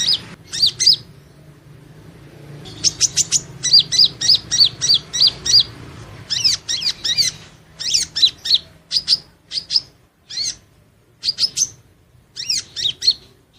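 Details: Van Hasselt's sunbird (Leptocoma sperata) giving a rapid, high, thin twittering song of sharp chips and short trills in quick bursts, with a faint low hum behind.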